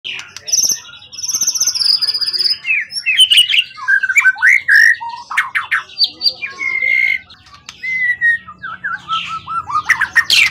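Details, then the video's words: Forest-caught competition songbird with a tail over 20 cm, long kept and calm, sings a rich, varied run of clear whistles, trills and buzzy rising and falling phrases that tumble quickly from one to the next. "Burung event ori hutan ekor 20cm up lg on banget"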